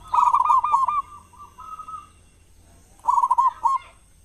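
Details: Zebra dove of local stock, loud-voiced, singing as a lure for other doves in morning and evening; a rapid trilled coo phrase trailing into two drawn-out notes, silence, then another short trilled phrase.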